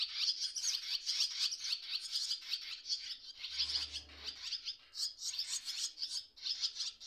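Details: Baby swallows calling from the nest while parents come and go, one parent resting on cables; a near-continuous, rasping, high-pitched chatter of overlapping chicks with little break.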